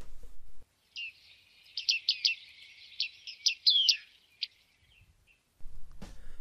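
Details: Bearded Reedling, which breeds in colonies in extensive reedbeds, calling: bright, metallic 'ping' notes in a quick, uneven series for about three seconds, with low rumbling noise before and after.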